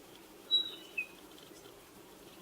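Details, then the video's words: Spotted pardalote call: a thin, high whistled note followed by a lower one, a short falling pair heard once over faint background hiss. "Spotted Pardalote bird call"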